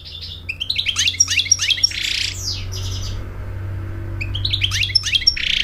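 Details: An American goldfinch sings for a mate and to teach chicks, repeating quick rising chirps broken by harsh buzzy notes, against a noticeable low droning hum.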